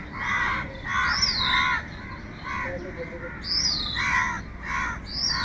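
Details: Crows calling for food give hoarse, grating caws in groups of two or three, alternating with high, sweeping whistled notes from another bird.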